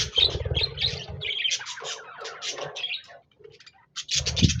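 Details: Budgies on 26 January 2024 chatter in quick, buzzy chirps and rattling trills, broken by a short near-silent pause, with low thudding noise at the start and end.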